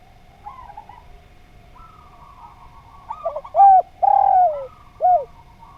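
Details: Spotted dove song recorded to train other birds: quiet, wavering coo phrases build to a loud sequence of three mellow coos, the middle one long and sliding downward.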